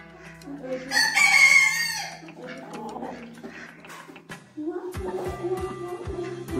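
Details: A young, not yet adult Orpington, whose voice has changed from chick cheeps, gives one short, hoarse, rising crow lasting about a second; a man talks around it, and a rhythmic thumping beat follows.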